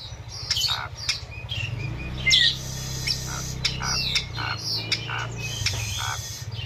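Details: Asian pied starling recording for training captive birds, with flowing river sounds mixed in: scattered squawks, clicks and short whistles over a steady low rushing background.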